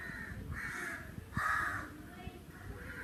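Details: Crow in summer giving four raspy caws, the loudest in the middle and each lasting about half a second, against a faint low background rumble.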